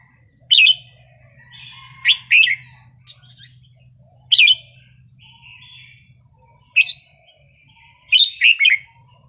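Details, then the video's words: Wild-style song (phleng pa) from a Red-whiskered bulbul, meant to rouse other birds: loud, rich whistled phrases with gaps of one to two seconds, a few faint thin whistles in between, and a low hum. "นกกรงหัวจุกเพลงป่า สำนวนเพราะ ๆ"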